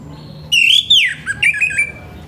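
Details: Orange-headed thrush in full morning voice, a harsh sound meant to stimulate other orange-headed thrushes into song. One loud, buzzy, slurred phrase drops in pitch, followed by a wavering, scratchy tail.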